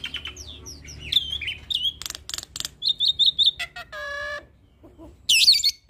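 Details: Captive hybrid starling singing an active song packed with mimicked phrases, used to tutor Asian pied starlings and other songbirds: varied whistles, a run of four quick rising notes, harsh buzzy bursts, a lower nasal tone and a loud shrill ending.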